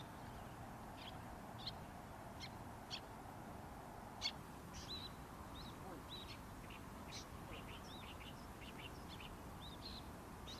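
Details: Little tern parent and juvenile visiting Senju Sakuragi nature area by the Arakawa river, Adachi, Tokyo; the juvenile waits for small fish. Short, sharp high chirps and squeaky notes, irregular and quickening, over a steady rush of wind or surf.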